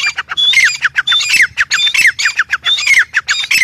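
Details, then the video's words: Grey francolin (teetar) calling: a rapid, continuous run of loud, harsh squawking notes. Each phrase pairs a thin high whistle with sharply falling, scratchy strokes, repeated without pause through the recording. "Teetar ki awaz | teetar | tetar sound"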